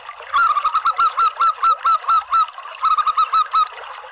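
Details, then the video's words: Local zebra dove calling, recorded as a lure for doves: a long run of rapid, ringing coos followed by a short pause and a second run of about six notes, steady and loud throughout. "SUARA PANGGILAN PERKUTUT LOKAL ¦ PANCINGAN PERKUTUT"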